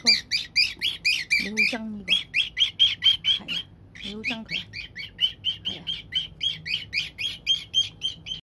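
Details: Senior pet cockatiel alternately singing to and scolding a hated box, recorded October 2, 2021; long run of rapid squawky and whistled notes, briefly broken by a short pause, with a human voice mixed in early on.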